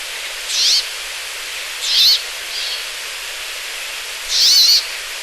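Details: Brambling song, a recording sourced online, given as three harsh, buzzy, nasal notes at high pitch, spaced roughly every one and a half to two seconds, over steady hiss.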